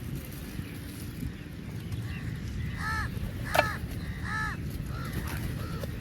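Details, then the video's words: Crows feeding together give harsh, arched caws with stacked harmonics, several in quick succession over a few seconds, then two shorter notes. A steady low rumble runs underneath. "Crow sounds"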